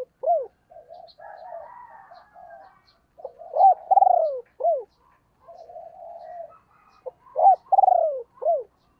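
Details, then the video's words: A decoy spotted dove hen calls to rouse wild doves, giving two clear phrases of clipped notes, a drawn-out trembling coo and a curved closing note, separated by low soft cooing chatter. "cu mai gay kich boi nhanh noi"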